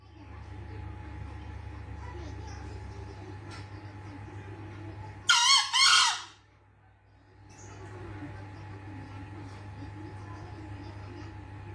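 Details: A green junglefowl searching for its escaped female gives one rough, double-syllable crow midway, short and hoarse, set against a constant low electrical-like hum with faint rustles.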